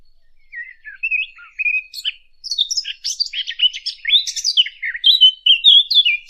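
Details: Fig bird sound used to lure birds for hunting, starting with soft scattered chirps, then building into a dense, excited run of sharp, jumbled high twittering notes.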